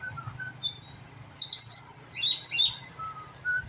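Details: Young white-rumped shama learning to sing: short high chirps and thin whistled notes, with a brief louder burst of scratchy, twittering phrases in the middle and near the end. A faint low hum runs underneath.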